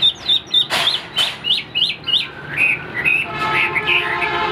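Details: A newly arrived, about 95% tamed Chinese hwamei (Garrulax canorus) with a broad fanned tail sings loud, clear whistled phrases, rising and falling slurs about once a second, shifting to richer rolling notes near the end.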